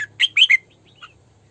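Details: Three rapid, bright chirps from a female red-whiskered bulbul kept as a singing decoy for training and trapping, followed by a faint trailing whistle and a short single note.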